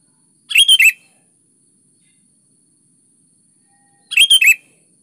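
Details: Vigorous sooty-headed bulbul song meant to draw answers from lazy bulbuls: two crisp phrases of three to four bubbly whistled notes, separated by roughly three seconds of silence.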